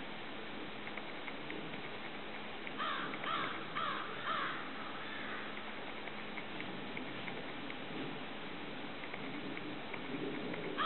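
A Belted Kingfisher gives a short run of four harsh, grating notes about half a second apart, then one more at the end, over steady low rumble.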